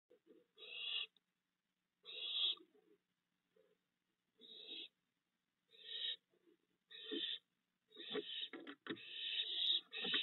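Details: Fledged barn owl young, fed at night by their father at a nest box, give harsh, hissing screeches, each about a second long, repeated every couple of seconds, building into overlapping rasping calls at the end.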